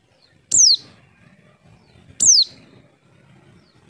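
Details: Lure call of a white-eye, played so birds will reply: two thin, piercing, high-pitched notes that slide sharply downward, about 1.7 seconds apart, against near silence.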